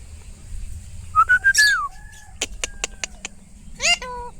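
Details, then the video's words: A pet Alexandrine parakeet at home gives a rising whistled note, a burst of sharp clicks, then harsh slurred chirps with descending tones; its owner talks to it, household hum in the background. "Alexander parrot natural chirping sound 🥳 Tote ki awaz"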